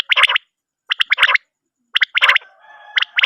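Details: Quail calls, played at night to attract quail for hunting. Loud triplets of harsh, buzzy notes are repeated about once a second, with short silent gaps between.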